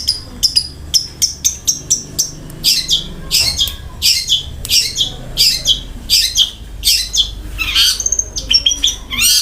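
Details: Long-tailed shrike in lively song with rough fill-ins and speed rolls: a fast string of short high ticks and whistles gives way to repeated harsh, scratchy bursts about every half second.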